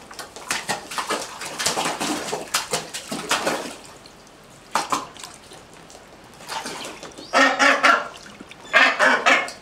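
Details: Five Northern gannets (Morus bassanus) in care at a wildlife hospital after high winds give harsh, grating, raucous calls at feeding time, in clusters, then short rasping runs after a brief quiet spell.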